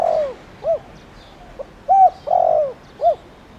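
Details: Spotted dove, a lure bird calling in the 'thổ đồng' voice style, used to provoke wild doves; low hollow coos, a long falling coo followed by short rising-falling notes, about five phrases.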